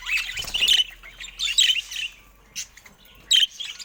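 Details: Budgerigars in a cage produce short bursts of harsh squawky warbling and chirps, separated by quiet gaps and a sharp click, one final squeaky burst at the end.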